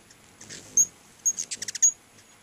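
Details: Several hummingbirds gathered at two feeders by a house utter high squeaks, then a fast burst of five or six evenly spaced sharp chips followed by another thin squeal.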